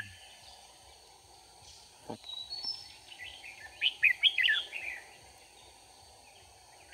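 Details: Red-whiskered bulbul recorded during bird trapping with a decoy bird on 4 March 2019. A short burst of quick, warbled, chirping notes rises and falls over about a second against a steady high whine and a low background hum.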